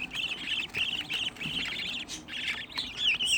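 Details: Home-raised budgerigar chicks, sixteen in one place, walking on a grate: rapid rows of bright rippling chirps in short bursts, repeated back to back, with a few sharper whistles at the end.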